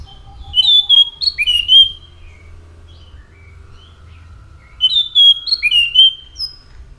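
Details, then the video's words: Orange-headed thrush singing: two bursts of clear, varied whistled phrases, each a quick run of sliding, warbled notes, separated by a quiet gap with faint background hum. "SUARA ASLI ANIS MACAN GACOR"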